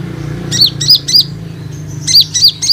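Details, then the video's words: Olive-backed sunbird lure call for untrained and flock-kept sunbirds: two sets of three bright, high, downslurred chips separated by a brief pause. "KONIN Bahan & ombyokan akan Respon dengan Suara Pancingan ini"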